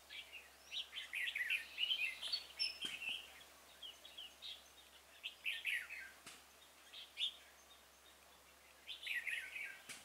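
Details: Red-whiskered bulbul singing during a trapping session for wild bulbuls, 26 February 2018. Several quick, bright warbled phrases are followed by a long quieter stretch and another burst near the end, with a few sharp clicks.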